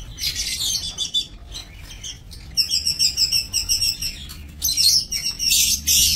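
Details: Breeding lovebirds in an aviary, 22 November 2024. Dense, shrill chirping gives way to a run of rapid, evenly pulsed high twitters in the middle, then loud harsh screeches at the end.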